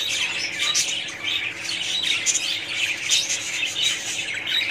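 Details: A colony of budgerigars fills the air with overlapping shrill chirps and twittering warbles, a steady high-pitched chorus that swells and dips slightly but never stops.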